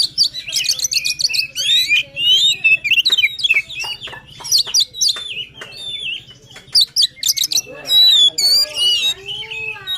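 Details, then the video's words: Extended White-rumped shama song for stirring a lazy singer: rapid chattering trills, clipped notes and swooping whistles repeated in a steady stream of varied phrases. "Kacer Gacor Full Emosi, cocok untuk mendongkrak Kacer yang malas bunyi."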